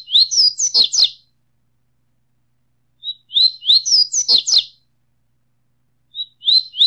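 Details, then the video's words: Mixed for warming up caged birds, this double-collared seedeater song repeats the same tumbling phrase of high, quick whistled chirps roughly every three seconds, with clean silence between phrases. "CANTO;ESQUENTE SEU PAPA CAPIM COM UM MIX DE 05 ÁUDIOS CANTOS DIFERENTES"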